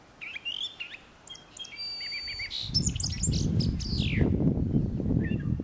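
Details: Brown thrasher vocalizing with a complex run of varied phrases: slurred whistles, short rattles and a steady buzzy note. After the first few seconds, loud low rumbling noise rises beneath the final descending notes.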